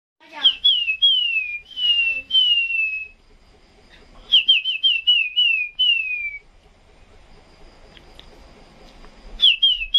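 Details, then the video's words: Chinese hwamei singing at 2 a.m.: clear whistled phrases of repeated downslurred notes, each series falling in pitch, given in three bursts separated by pauses, with a soft background hiss between phrases. "Chim Tiểu Mi Siêu Hót"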